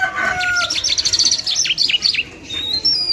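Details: A lunda jal lark sings a short, busy run of sharp chirps and quick down-slurred high notes, ending on a thin whistle.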